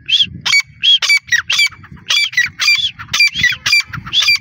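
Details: Female grey francolin calling in a loud, harsh, rapid series of high, scratchy notes, roughly two per second, continuing throughout with brief gaps between bursts; faint low rumble underneath.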